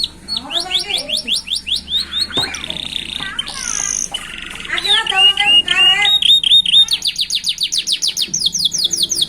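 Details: Young canaries singing at a roadside in a distinctive rhythm: rapid descending chirps, a varied middle phrase of whistles and buzzes, then fast repeated high notes.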